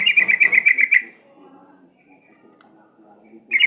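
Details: Sooty-headed bulbul lure to make birds sing: a dense one-second run of about eight quick bright notes, then quiet with a low murmur, and another burst beginning at the end.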